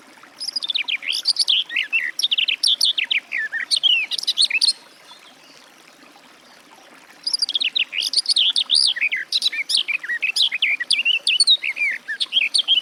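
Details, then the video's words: Garden warbler singing in the wild: two long bursts of rapid, warbling, bubbly phrases with fast varied notes, separated by a pause of about two and a half seconds. "Warbler garden, birdsong"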